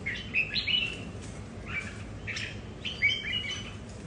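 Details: Several red-whiskered bulbuls kept at home, competing over territory; bright warbled phrases around two to four kilohertz come in short bursts with gaps, over a low background hum.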